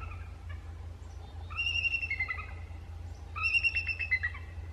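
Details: Bald eagle in Delta, British Columbia, Canada, on 12 January 2017: two bursts of high, thin chittering, a rising note followed by a quick series of descending piping chips, over a steady low rumble.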